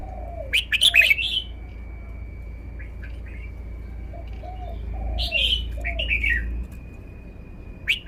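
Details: Red-whiskered bulbul, caged, showing off its song style with two lively warbled phrases several seconds apart. A few soft chips fall between them, and low gentle hooting and a steady hum continue throughout.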